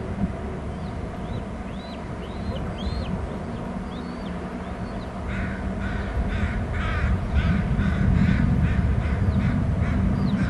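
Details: Bald eagle eaglets squeeing in a nest on Hornby Island, with an adult present: thin, high, downslurred squeals in quick runs, then a denser rapid series of sharp high notes over constant low rumble.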